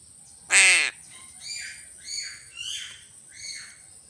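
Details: One loud rasping caw from a crow, followed by a run of four softer, rising and falling nasal calls spaced about half a second apart.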